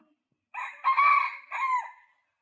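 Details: A wild junglefowl crowing once: a harsh, hoarse crow of about one and a half seconds in three linked parts, loudest in the drawn-out middle note and ending in a falling tail, with nothing else heard.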